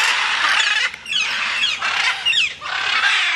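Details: Flying macaws in a nonstop run of loud, harsh screeches, rough and grating, with brief downward-sliding notes between the bursts.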